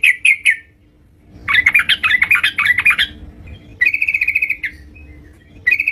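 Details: Yellow-vented bulbul singing lively at home: three quick chirps, then a tumbling run of bubbly warbled notes, then a fast even rattle of repeated notes, with a last chirp at the end.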